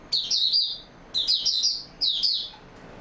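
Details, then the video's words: Oriental white-eye, a caged songbird in open song, recorded 28 February 2022: three bursts of high, rapid twittering phrases with quick slurred notes, each about half a second to a second long, separated by short pauses. "Mata Puteh Raja Video 1 buka sing stable form"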